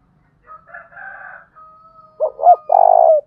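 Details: Spotted dove lure call in the 'thúc bổi' style, described as a 'thổ đồng' voice: a faint steady whistle-like tone first, then two short coos and a long rolling coo at the end.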